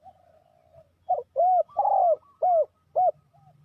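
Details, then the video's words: Spotted dove calling to lure wild doves for trapping: a soft wavering note, then five strong arched coos about twice a second, the third drawn out. "The Sound Of Spotted Dove"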